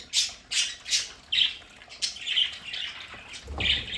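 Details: Pet budgerigars in a home play area calling: harsh, scratchy chirps and squawks in quick irregular bursts, several birds overlapping, with faint background hiss.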